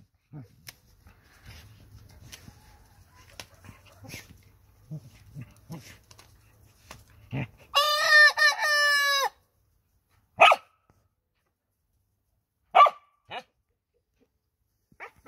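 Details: Very young rooster crowing in a henhouse at nightfall: soft low clucks and a faint hum, then one strained, even crow lasting about a second and a half, followed by a few sharp isolated clucks in near silence.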